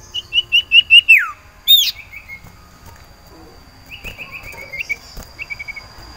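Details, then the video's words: Sirtu iora (cipoh) in breeding condition, kept in a cage and singing for a mate; a quick row of short sharp whistled notes ending in a falling slur, then softer trailing notes after a pause. "Lantunan Sirtu Birahi Mencari Lawan Betina Cipow"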